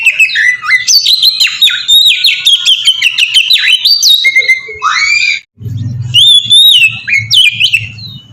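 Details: Melodious 'ngeplong' song of an Oriental magpie-robin, used as a lure for other magpie-robins. A continuous stream of shrill whistled slurs and twitters, then a short break followed by a steady low rumble beneath the final phrases.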